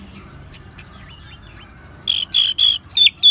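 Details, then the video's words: Orange-headed thrush in ngeban song, used to spur caged birds to sing: thin high chirps and short slurred whistles rising in pace, then buzzy harsh bursts and clear downward-sliding whistles, with a low background hum. "Suara Ngeban Untuk Pancingan ANIS MERAH"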